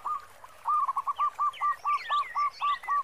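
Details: Local zebra dove with a big 'khong' voice: a steady run of about ten short even coo notes, evenly spaced roughly four per second, with busy high twittering of other birds and light background hiss.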